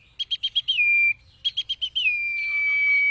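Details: Common iora song for training caged birds: two bursts of five or six quick, evenly spaced notes, each gliding down into a long, level, clear whistle.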